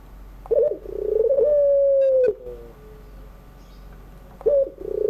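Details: Ringneck dove (puter) giving its 'pelung' style crying song in the afternoon, used as a model for young birds learning to sing: a rolling, stuttered opening, then a long steady drawn-out coo that falls at the end, followed by another rolled start.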